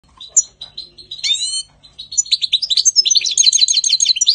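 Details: European goldfinch singing in spring 2020: a lively, tinkling song opening with separate high twittering notes, then a rasping buzzy note, building into a fast, dense jumble of liquid twitters and trills.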